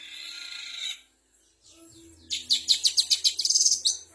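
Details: Long-tailed shrike imitating canary, fighting sparrows, prinia and kapas tembak: a harsh high chatter, a brief silence, then a fast series of bright, pulsed chirps, about four per second, quickening toward the end.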